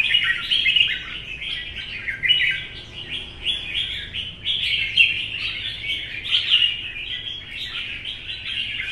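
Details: Caged red-whiskered bulbul, wild-caught and mature, in morning-sun competition singing: steady stream of sharp chirps and slurred warbles, pulsing louder around five seconds, with no other clear sounds.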